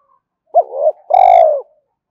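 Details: Spotted dove giving a luring coo to provoke wild doves: a single low phrase, a short trembling note rising then easing down, then a longer steady coo that slowly descends; clean, quiet background.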